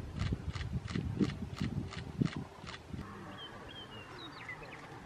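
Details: Male sharp-tailed grouse displaying in Colorado on April 29, 2016: a regular series of low, dull, drumming pulses about three per second for three seconds, then faint higher squeaky notes over a quiet outdoor background.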